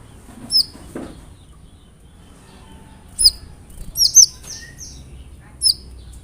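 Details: Sunbird (kolibri ninja) song for provoking another bird to sing: scattered very high, thin upslurred chirps in short groups separated by quiet pauses, with a faint low rumble beneath.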